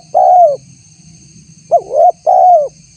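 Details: Spotted dove lure call, intended to get a response from wild tekukur. A long falling coo, then a full phrase of a short note, a rising coo and another long descending coo. Mellow, mid-pitched and loud over a faint hum.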